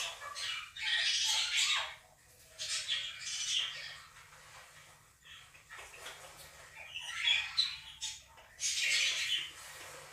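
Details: Two pet Quaker parrots screaming during playback of budgie chirping and song. Grouped bursts of harsh, broadband squawks come in several bouts, with quieter chatter between them.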